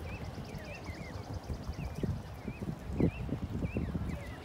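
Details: Baby geese giving wavering, slurred high peeps at irregular intervals over a background of low rustling, bumps and handling noise.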